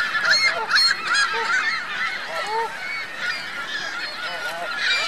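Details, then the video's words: Geese with goslings at Virginia Lake in Reno: a dense, overlapping chorus of short nasal honks and higher, thin chattering calls, with several birds calling at once throughout. "Geese Goslings Reno Virginia Lake"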